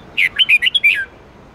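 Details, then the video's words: A red-whiskered bulbul sings one rapid phrase for training caged bulbuls: six sweet, warbled whistles in under a second, the last one drawn out and sliding downward, with little else audible. "Luyện giọng chào mào hót âm 8-9-10 xoắn tít cực hay"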